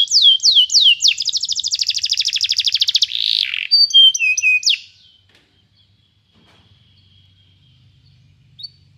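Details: Canary singing to teach another canary: a few sweeping whistles, a fast high trill, then a buzzy note and varied whistled phrases, ending in near silence with one faint late chirp.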